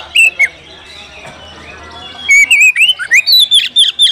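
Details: Oriental magpie-robin, locally kacer, calling out for an opponent to fight; two brief whistled notes, a long quiet stretch, then a fast loud sequence of slurred whistles and harsh clicks.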